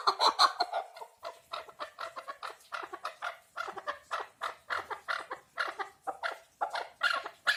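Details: Chukar partridge giving loud, harsh clucking notes in an uneven series of about three per second, each note broad and rasping, with several calls overlapping at the start.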